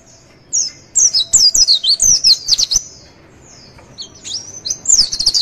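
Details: White-eye tutor song meant to provoke a reply, a high chittering warble of quick descending whistled slurs in two bursts with a short pause between, all very thin and sharp.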